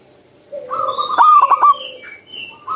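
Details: Zebra dove singing lively in the wild. One loud stuttering coo phrase of rapid pulses lasting about half a second. Other birds add thin high whistles around it.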